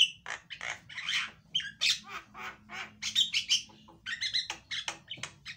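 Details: Loud Javan myna singing, used to draw song from a silent myna: a busy, varied mix of harsh squawks, short whistles and grating chatter delivered in quick clusters throughout.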